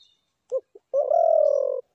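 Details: A spotted dove gives two quick clipped notes, then one long, even, mellow coo lasting almost a second. The recording is otherwise quiet.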